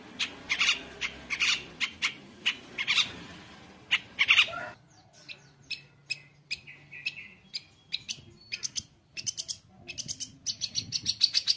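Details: Energetic long-tailed shrike singing 'gacor' full of varied notes, meant for teaching juvenile shrikes: a run of loud, evenly spaced clicking chips, then softer scattered twitters and dense buzzy chatter.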